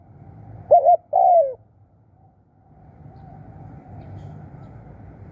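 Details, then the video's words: Spotted dove kept as a trapping decoy gives one two-part coo, a short trembling note then a longer falling one, followed by soft background rumble and quiet. "ตามนกเรียกคู รู้ครุน"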